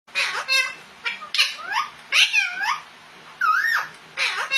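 Rose-ringed parakeets chatter in quick bursts of harsh, buzzy notes mixed with sliding whistles, several per second with short pauses, in a quiet room.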